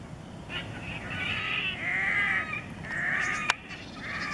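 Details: Red-necked grebe song recorded at Kissakoski in April 2020: long drawn, nasal wailing notes rising and falling in pitch, several in succession with short breaks, over a low background rush of water.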